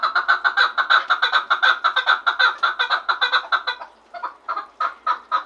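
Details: Loud chukar partridge recorded in Garm, Tajikistan: a fast series of harsh clucking notes running steadily for four seconds, then breaking into slower, spaced single chucks after a short pause.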